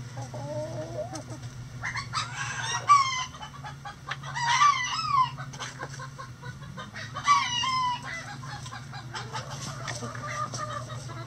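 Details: Backyard chickens at their daily activities; three loud, harsh rooster crows come about two seconds apart, each a rough rising then falling phrase, with faint clucks between them and a low steady hum behind.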